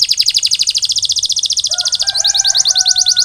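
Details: Canary song after molt: a very fast, bright rolling trill of evenly spaced high notes, briefly accompanied by a faint steady whistled tone underneath.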